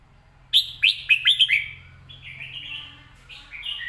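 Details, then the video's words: A caged red-whiskered bulbul sings a phrase of five quick, loud whistled notes, each swooping up then down, followed by softer trailing warbles over a low background hum. "สำนวนดี"เดินเพลงชัด ปากไวเสียงชัด#เสียงนกกรงหัวจุก"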